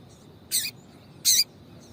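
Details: Female double-collared seedeater calling to stir a male: two brief, high squeaky notes spaced about three quarters of a second apart, quiet between them.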